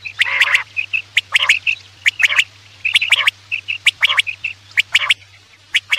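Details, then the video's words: Quail calls played for hunting at night: rasping bursts mixed with short high whistled notes, repeated rapidly and irregularly throughout. "Batair ki awaz raat k liye|batair ki awaz shikar k liye"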